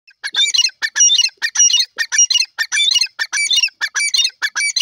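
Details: Grey francolin (safed teetar) from Pakistan giving a loud, harsh, squawking series of rapid notes, repeated almost without pause across the whole stretch, with no other clear sounds.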